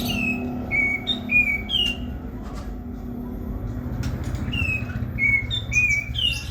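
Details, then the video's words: Vigorously singing prinia giving repeated short whistled notes that drop in pitch, several in quick succession, with a pause mid-clip and a light background hum. "Katem gacor besetan di ahir"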